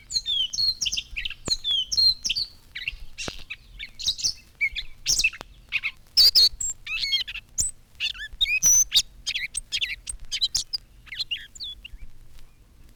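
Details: A Gray Catbird sings in spring from the top of a hawthorn bush, a long jumbled medley of squeaky, scratchy, mostly high phrases, each given once rather than in pairs, without steady rhythm.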